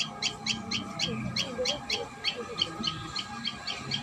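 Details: Common tailorbird at its nest: sharp high chirps repeated about four times a second in a steady run, with low background hum and faint rustling.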